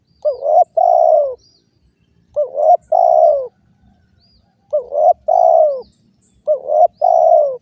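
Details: Spotted dove giving four mellow paired coos, roughly every two seconds. Each pair is a short rising note followed by a longer, smoothly falling coo, against a quiet background.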